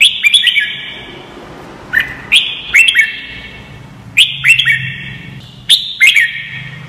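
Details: Red-whiskered bulbul song used as training audio so young white-cheeked birds learn to sing quickly: four bursts of short, loud whistled phrases, each rolling quickly through three or four bright notes with an echoing tail, spaced about one and a half seconds apart.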